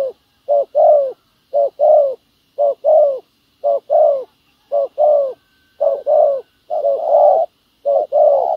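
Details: Spotted dove acting as a ground decoy while trapping wild doves, cooing steadily: about eight short-then-long coo pairs in quick regular succession, each phrase mellow and slightly falling, loud and clear with a near-silent background.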